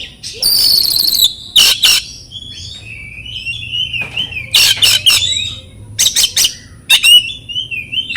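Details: Training song of an oriental magpie-robin, used to stir silent caged birds: a high rattling trill, harsh clipped bursts and long wavering whistled phrases, with a constant low hum underneath.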